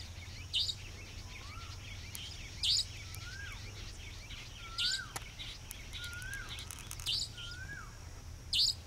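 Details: Savanna nightjar (Caprimulgus affinis), resident bird, calling in the evening at Dharmpura, Khandela, Sikar, Rajasthan, India: sharp, high, buzzy single 'dheet' notes about every two seconds, over soft lower whistles, a steady high insect drone and a low rumble.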